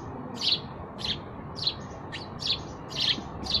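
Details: Sparrow giving quick high chirps, about seven in under four seconds, some with a short trailing tone, over soft low background noise.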